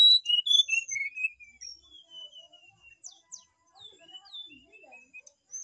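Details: Brown-chested jungle flycatcher singing in full voice: a loud opening phrase of clear whistled notes stepping down in pitch, followed by softer, fainter whistles trailing off over several seconds.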